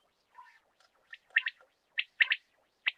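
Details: Rain quail (batair), possibly a morning recording, giving sharp, high metallic notes, some paired, in short bursts spaced irregularly; a softer, lower chirp opens the sequence.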